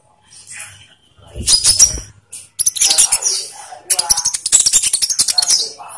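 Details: Olive-backed sunbird song used as a lure to get captive birds singing: bursts of very high, sharp, rapid chirps and twittering, broken by short pauses, with a few thin whistled notes.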